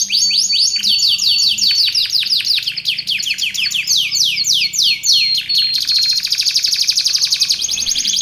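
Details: Canary used for song training and luring pours out quick falling whistled notes with a faint steady whistle running through, then shifts into a dense buzzing roll.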